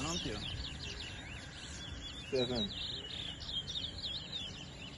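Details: Towa towa singing contest at a New Amsterdam bird ground, Guyana, 2022: large-billed seed finches deliver quick chattering, slurred whistles and warbles, while voices and a low background rumble sit underneath.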